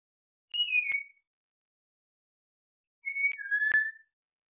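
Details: An African grey parrot whistles two clear, sliding phrases of the tune "Bella ciao" while rehearsing, each under a second long, about two and a half seconds apart.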